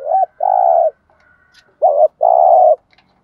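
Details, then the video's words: Spotted dove decoy in training calls twice in close succession. Each phrase is a short clipped coo followed by a long, steady, throaty coo, with a brief quiet gap between. "tiếng chiêm cu gáy luyện bổi mới"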